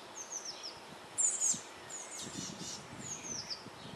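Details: Eurasian blue tit young about to fledge from a nest box in May 2012, calling while fed: faint high, sliding squeaks and a louder shrill burst, over soft rustling.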